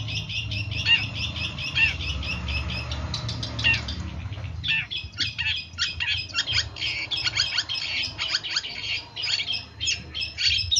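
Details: Long-tailed shrike from a bird-training recording: a long varied medley of chirps, twitters and whistles, sparse at first and then quickening into a dense chatter, with low hum underneath.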